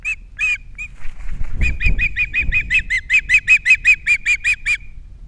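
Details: Captiva osprey nest with three chicks, nest camera, 21 February 2022: three opening whistled chirps, a short gap with low thumping and rustling, then a long fast series of shrill repeated chirps.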